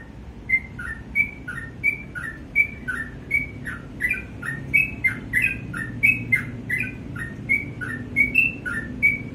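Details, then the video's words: Morning whistling of a sooty-headed bulbul: crisp high notes alternating with lower slurred ones in rapid couplets, continuing throughout, over a soft low-frequency background. "BURUNG TRUCUK GACOR DI PAGI HARI"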